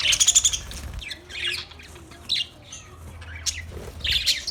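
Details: Budgerigar chirping and singing, recorded 14 March 2024: bursts of bright, scratchy chirps and squawky notes, one at the start, more in the middle and a cluster near the end, over a low steady hum.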